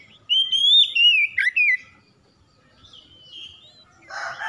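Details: Gacor kacer, or Oriental magpie-robin, in a daily singing-therapy recording: a bright sustained whistle sliding into quick downslurred notes, a pause, a softer distant whistle, then a brief harsh rasping burst.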